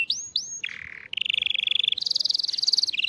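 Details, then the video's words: Tutoring song of a canary for young birds: two upward-curving whistles, a low buzzy phrase, then rapid pulsed trills stepping up in pitch and dropping at the end. "تغريد كناري لتعليم الصغار"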